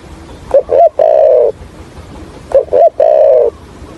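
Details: Spotted dove kept as a trapping decoy, with the voice style called thổ Hạp bổi, giving two phrases about two seconds apart. Each phrase is two short clipped notes and then one long, low, even coo. The background is quiet.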